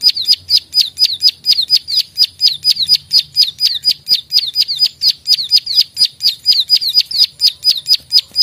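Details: Klik-klik calls of a plain prinia (prenjak sawah), a fighter-style recording meant for tutoring songbirds: a long, evenly spaced run of thin, high, down-slurred clicks, roughly two each second, clean background.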